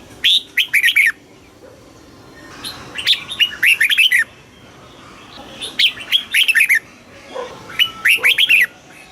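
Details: Red-whiskered bulbul song from Thailand, played to make caged bulbuls eager and to tutor young birds. Four brisk, jaunty phrases of tumbling whistled notes, roughly two seconds apart.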